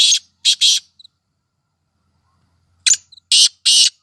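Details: Female black francolin voice, used to excite francolins: harsh, grating, high-pitched bursts in a short-long-long pattern with faint clicks between, the phrase given twice about three seconds apart.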